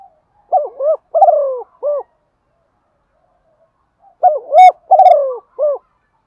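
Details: A female spotted dove gives its enticing coo to stir males: two rhythmic phrases about 3.6 seconds apart, each of several hollow, low notes with a longer downward-sliding coo before a clipped last note, silence between.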